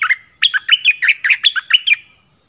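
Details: Excited caged Cream-vented bulbul, kept as a decoy, pouring out a long bubbly phrase of a dozen rapid warbled notes that swing between low and high pitch, trailing a thin whistle.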